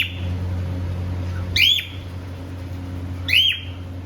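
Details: Pet cockatiel pair, happy and playing, giving two bright arched whistles about 1.8 seconds apart, each rising then falling, over a steady low indoor hum.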